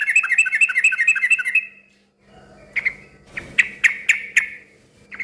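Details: Noisy yellow-vented bulbul singing a rapid bubbly chortle of rolling notes, followed after a pause by a quick series of sharp, emphatic chirps; a low background hum persists throughout. The song is said to draw other bulbuls into answering.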